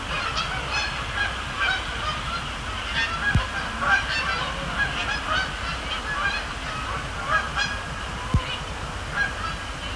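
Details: Canada geese heard at night around Sapsucker Woods Pond, Cornell Lab of Ornithology, in a calmer stretch between landings; scattered, more distant honks over a low background rumble with two sharp clicks.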